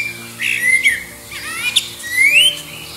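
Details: Common blackbird singing in competition with other birds in the distance to find a mate, beneath an airport flight path near Liverpool: clear fluted, whistled phrases with slurred and rising notes, above a faint steady low hum.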